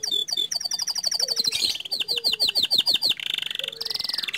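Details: Panda canary in full rolling song: strings of bright, rapidly repeated whistled notes, then quick downward swept chips, giving way to a sustained buzzy trill and a high rattling roll, all delivered without pause.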